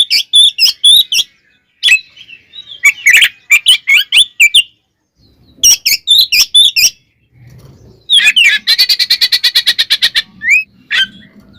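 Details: An oriental magpie-robin gives a loud, clear fighting song meant to provoke others: short bursts of sharp, scratchy notes separated by pauses, then a long rapid rattle of even repeated notes and a final rising whistle, with a low hum.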